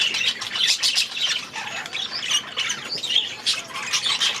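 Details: Young budgerigars, last year's babies now grown, in their new aviary during their first days there; a dense flock chatter of buzzy squawks and quick chirps, continuous throughout.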